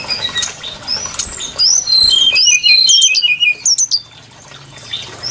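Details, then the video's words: Brown-chested jungle flycatcher song used as a trapping lure: high, clear whistled notes and quick slurred phrases, some rising and some falling, crowded together in the middle seconds, with fainter, busier chatter at the start. "Suara pikat burung sikatan SRDC Sikatan rimba dada coklat"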